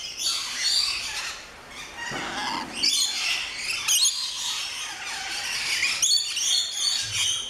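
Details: Noisy flock of rainbow lorikeets in the lorikeet aviary of an orchid farm at Luttelgeest, Netherlands, heard on entering: dense shrill screeching and chattering, nearly continuous, with a brief flutter of wings.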